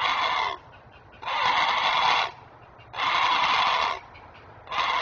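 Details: Nesting great blue heron parent calling in alarm as it shields its young: a steady series of four rough, buzzy squawks, each about a second long, spaced roughly every one and a half seconds.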